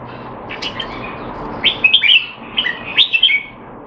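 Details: Caged Red-whiskered bulbul kept in Singapore, in training and said to be out of form, giving short bursts of bright, warbled notes in quick groups of three or four, against a steady low background hiss.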